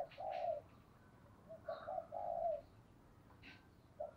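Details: Decoy spotted dove calling in the gáy gọi hai hậu style: soft, low, hollow coos in short bursts of about half a second, separated by pauses, against a faint noisy background with brief higher chirps.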